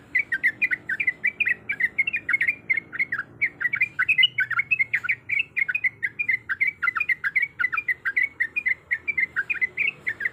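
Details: Breeding female yellow-vented bulbul calling for a male, a long run of quick, bubbling, slurred notes repeated without pause for ten seconds, insistent and loud.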